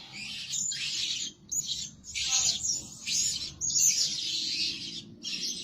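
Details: Shrill, grating chirp phrases from a Blue-crowned hanging parrot kept as a lure bird that calls day and night, repeated in bursts with short breaks between them.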